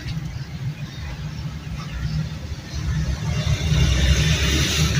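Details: Loud engine rumble, rising as it revs toward the end, with hiss and no animal voice.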